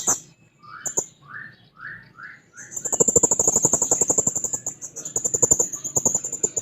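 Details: Blue-crowned hanging parrot singing toward a rival. A series of short rising whistled notes opens the clip, followed by a long, steady, very high sibilant tone over rapid, rhythmic clicking.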